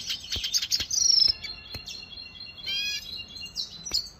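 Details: Caged Venezuelan goldfinch singing: a fast run of high twittering notes, a bright sustained trill, then lower buzzy warbled phrases, with sharp clicks between phrases.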